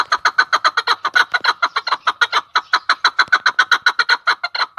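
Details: Loud, close chukar partridge in Tajikistan: evenly spaced, harsh clucking chuk notes, roughly three to four per second, continuing throughout.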